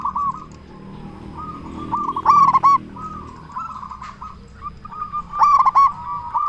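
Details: Local zebra dove with a loud voice, calling so others answer: two strong bursts of quick, hooked coos, about three seconds apart, amid a steady stream of fainter cooing.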